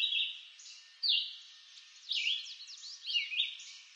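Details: Red-eyed vireo singing in eastern North American woods: a few high, slurred phrases with quick downward strokes, partly blurred by echo, over about four seconds.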